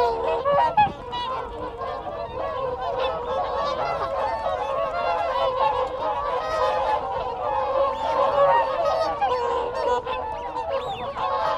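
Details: Whooper swans in a group trading contact calls at close range. A busy, unbroken wall of nasal honks runs throughout. Wigeon and Canada geese call in the background.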